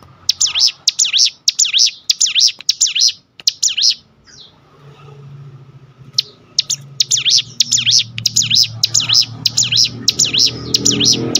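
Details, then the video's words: Full ngebrem song of a Sunda bush warbler for tutoring and luring: long runs of piercing notes, each swooping down and up, repeated steadily and broken by a brief pause midway. A low rumble sits underneath. "tembakan top ciblek gunung full Ngebrem"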